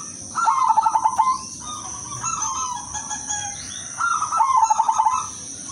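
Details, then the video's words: Two rounds of cooing from a silver female zebra dove calling for males, each a fast throbbing trill of coos followed by longer level notes, with a steady high whine. "pekutut BETINA silver memanggil jantan"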